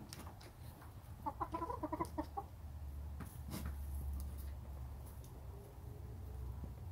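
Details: Backyard hens chatter softly while their owner sits in the pen: a quick run of short, tonal clucks in the middle, then quieter scattered notes over a steady low rumble.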